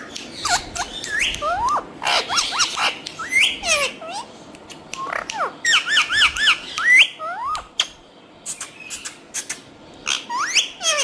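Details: Green talking parrots keep up a lively stream of squawks and squeaky whistles. Rapid rising and falling notes come in bursts, with a few clicks and one quiet gap before more chatter.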